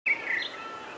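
A rufous-bellied thrush gives one brief, clear fluted phrase that dips slightly in pitch, then a faint higher note over soft background hiss.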